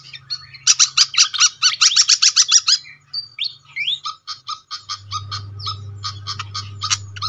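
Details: Pied fantail lure recording used to attract birds: a rapid burst of sharp, high, evenly spaced chip notes, then scattered squeaky upslurred whistles and single chips, with a low steady hum underneath.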